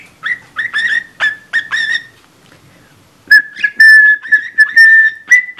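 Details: A budgerigar copying a cockatiel's whistled Mickey Mouse March, badly: short, clear, slightly off-key notes near one pitch in two bursts with a pause between.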